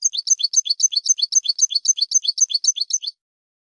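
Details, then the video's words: European goldfinch song for training birds: a steady rapid trill of bright, paired high notes, about four per second, very regular, lasting three seconds and ending abruptly. "تعليم الحسون أفضل تغريد في العالم بدون أخطاء"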